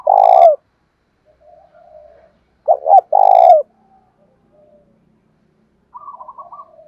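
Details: Spotted dove used as a decoy to stir up fights, singing in the thổ pha voice: buzzy low croos separated by short paired coos, phrases about three seconds apart, then a higher rattling trill near the end.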